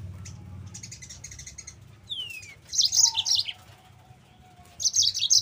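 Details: Yellow-fronted canary song used as a training lure for other canaries: a long descending whistle, then bright, rapid high chirped phrases tumbling downward, with a faint low hum beneath.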